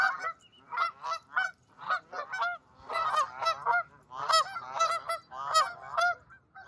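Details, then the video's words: Flock of excited geese walking on a grassy hill in an open field, honking with overlapping nasal, harsh calls in quick irregular bursts, several birds at once, before flying away. "Flock of Geese Honking/Calling Sound Effects"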